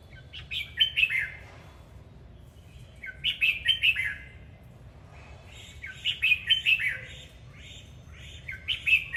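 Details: Red-whiskered bulbul singing while dancing: three bursts of rich, warbling, whistled notes, each about a second long and spaced about three seconds apart, over a low steady hum.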